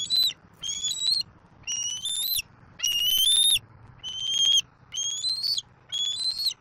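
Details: Juvenile bald eagle at a Southwest Florida nest, 7 April 2024, squeeing nonstop as it flies in to claim a whole fish its father delivered. Thin, high whistled squeals, each about half a second, slightly rising, repeated roughly once per second, with a faint low hum behind.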